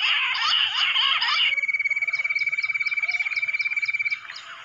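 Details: Wild bush quail in jungle, summoned with a mobile phone: a tangle of busy chirps gives way to a steady rapid pulsed whistle, roughly four beats per second, fading out at the end.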